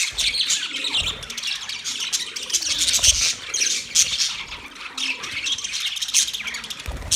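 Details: Budgies produce a steady stream of high, scratchy squawks and chirps, with rapid twittering notes running throughout and faint low knocks.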